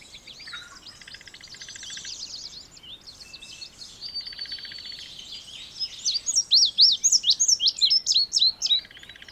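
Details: Indigo bunting song, a loud burst of high, clipped, slurred notes about four per second, preceded by quieter mixed chirping and a low-pitched buzzing trill from another bird in the background.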